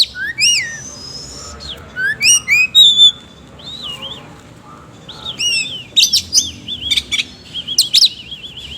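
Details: Varied oriental magpie-robin song of sweeping downslurred whistles, rapid rolling trills and wavering warbled phrases, coarse and busy in tone.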